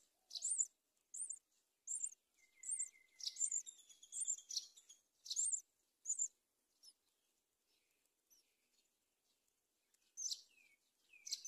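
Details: At a palm tree nest where a mother myna feeds locusts to her young, high grating chirps repeat, a steady thin tone runs briefly beneath them, then a pause before more chirps.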